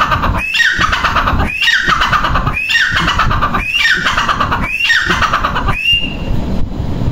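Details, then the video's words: Grey francolin giving a run of about five loud, scratchy phrases, each a sharp upward note dropping into a descending squeal, about once a second, ending with a single clearer rising whistle; constant background rumble throughout. "Teetar ki awaaz"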